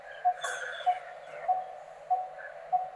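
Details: Coppersmith barbet, a resident of open wooded country and groves, gives its metallic low 'tuk' notes about every 0.6 s, turning its head side to side to throw the call, with faint background bird chatter.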